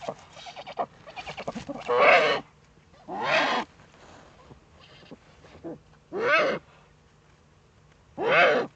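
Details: Common moorhen at night in the Eifel, 13 April 2014 at 22:29: spaced harsh, rasping squawks, each about half a second, repeated every two to three seconds after a quieter run of clucking notes.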